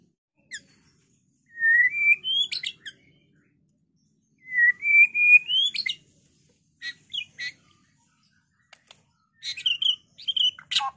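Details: White-rumped shama singing to provoke rivals into fighting and singing: long rising whistled phrases ending in sharp high notes, separated by short pauses, followed by scattered chirps and a final burst of varied whistles.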